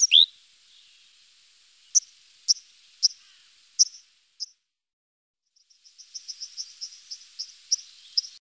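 White-throated dipper giving sharp, high, scratchy notes, first spaced about half a second apart, then a quicker run of ticking, chattering phrases.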